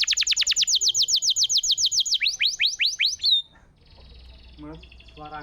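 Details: Canary singing a master-training song meant to coax silent canaries back into song: a fast, even trill of high descending notes for two seconds, then a few rising sweeps, fading into quiet background noise.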